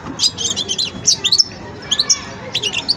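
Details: Young European goldfinch in song-learning stage, repeating short bursts of high, sharp twittering notes and chirps in uneven groups, with a low hum underneath.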